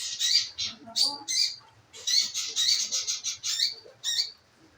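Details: Lure calls of a scarlet minivet, meant to prompt singing: high, thin chirps in clusters, ending in a quick run of closely spaced notes before a short pause.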